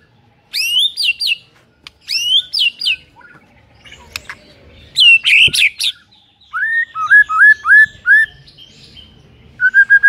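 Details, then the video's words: White-rumped shama morning song meant to make a rival shama sing: high, chattering bursts of notes, then a series of lower whistles that rise and fall, repeated about three times a second. "5 DETIK DI PAGI HARI SIAP BIKIN MURAI LAWAN AUTO NARUNG & GACOR SEKETIKA"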